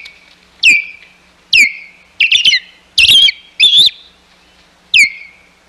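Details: Osprey at the Hog Island nest on 11 May 2021 as intruders approach. Loud piercing whistles each fall into a drawn-out tone, mixed with rapid stuttering chirp bursts, all spaced about a second apart.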